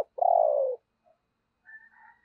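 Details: Decoy spotted dove cooing to stir other doves: one long throbbing coo sliding slightly downward, then faint higher chirps.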